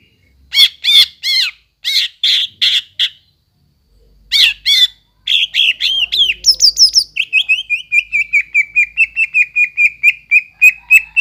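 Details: Greater green leafbird song used to stir a silent bird into song: separate harsh, rasping bursts that give way to a fast, even trill of bright notes, slowly dropping in pitch.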